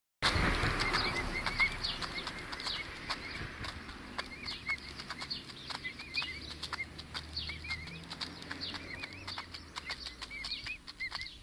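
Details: Pet emu chicks, five weeks old, giving a steady stream of short, arched whistled peeps, several per second, over sharp tapping and clicking sounds and a low background rumble.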